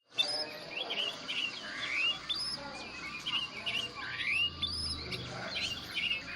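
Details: Oriental magpie-robin described as white-coloured, in the wild: varied whistled and chirped phrases, rising slurs and short notes repeated through the clip amid a steady hiss of background insects or forest noise.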